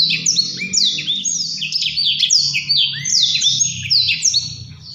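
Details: High, rapid Blackthroat song of descending whistled slurs and trills in a dense flowing run, over a soft low background hum.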